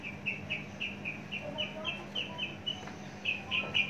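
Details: Javan bush lark, a long-kept mature bird with a very large body, sings a fast series of short, bright chirps, about four a second, with a steady low hum behind.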